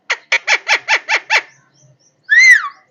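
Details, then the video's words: Parrot producing a fast series of seven harsh, clipped squawks, then a short silence and one loud arched whistled call. "parrot voice parrot Love voice"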